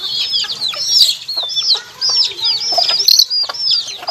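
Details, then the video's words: A handful of chicks give loud, drawn-out arched peeps, some rising then falling, in uneven bursts with a brief lull midway. A soft flutter is also audible. "HUNI NG SISIW, ACTUAL FOOTAGE CHICKS SOUND"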